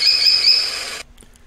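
An American Kestrel gives a shrill, high-pitched call lasting about a second, then it cuts off into near silence.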